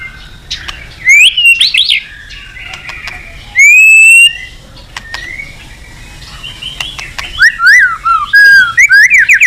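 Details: Lure song of an actively singing white-rumped shama calling a rival: scattered loud whistled and slurred phrases with quiet gaps between, building to a fast burst of varied chirps at the end.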